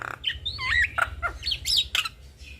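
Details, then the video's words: Male and female black-winged starlings in duet, a brief stretch of curling whistled slurs and short chirps, rising and falling loops, with a low background hum. "Jalak Kebo Jantan Dan Jalak Kebo Betina GAcor Duet Kicauan Jalak Kebo"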